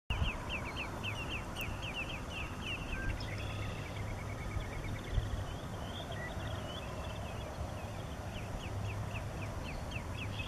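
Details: Short-billed Dowitchers in Mower County, Minnesota, on 8 May 2014 give quick runs of mellow, high 'tu-tu-tu' notes, several birds overlapping, over a steady low rumble of wind or a distant engine.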